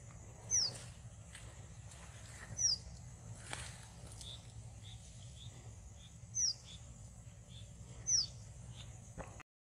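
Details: Red avadavat (red munia) on the charlands of the Ganges (Padma river), Rajshahi, Bangladesh, giving four thin, very high, down-slurred notes spaced two to four seconds apart, with softer chips and a low background rumble.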